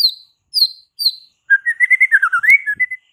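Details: White-rumped shama in full, vigorous song, used to rouse fighter males to anger: three clear descending whistles, then a rapid run of about ten loud, warbling, rising-and-falling notes after a short pause.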